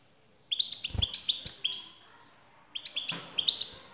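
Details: European goldfinch female calling to encourage a male to sing: a lively run of clear upslurred chirps, a brief quiet spell, then another twittering burst.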